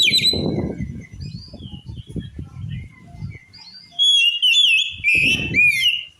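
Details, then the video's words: Oriental magpie-robin song, claimed to enrage rival magpie-robins: scattered thin whistles over low thumping and rumbling noise, then a loud burst of rapid, varied, chattering whistled notes in the second half. "Suara Kacer Ini Mampu Bikin Kacer Lain Auto Ngamuk"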